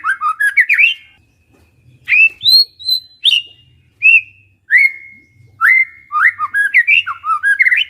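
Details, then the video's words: Village white-rumped shama singing vigorously: loud, clear whistled phrases, some rising and some sliding down, given in separate bursts about a second apart, ending in a quicker run of varied rich notes. "MURAI BATU KAMPUNG GA SANGKA NGAGETIN SUARANNYA GACOR"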